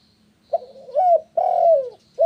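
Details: Spotted dove cooing, played to get other doves to answer: low, hoarse coo notes, a short note then two longer drawn-out coos, the last sliding slightly downward, with a faint low hum behind.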